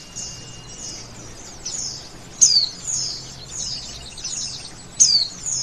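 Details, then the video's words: Quieter singing from a male oriental white-eye: a run of soft, high, falling notes broken by two sharper descending chirps about 2.5 seconds apart. "Pleci Jantan Langsung Nyawut"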